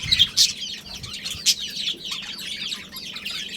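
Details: Budgerigars, a breeding pair within a family colony, chattering in dense high warbles and chirps, with a few louder sharp notes near the start and a steady low hum beneath.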